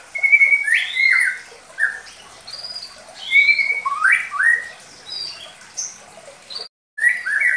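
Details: Medan-type White-rumped Shama singing a lure song for young birds: a flat whistle, then falling and upslurred notes with high thin accents, separated by short quiet gaps and a brief cut near seven seconds.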